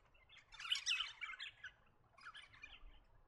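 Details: An Eastern rosella in the New England region of NSW, Australia, a bird of woodlands, parks and gardens, gives two bursts of high, scratchy chattering chirps, the first longer, over a faint low background rumble.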